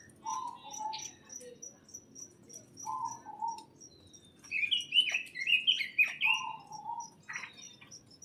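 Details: Birds chirping inside a greenhouse: short warbling notes near the low middle range alternate with brighter rising chirps, over a steady high ticking pulse and a soft background hum.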